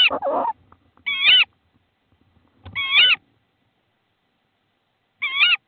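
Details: At a nest in Estonia on 22 March 2016, a tawny owl calls as prey, a frog, arrives. A rough scraping noise opens, then three short, wavering, harmonic calls at uneven gaps.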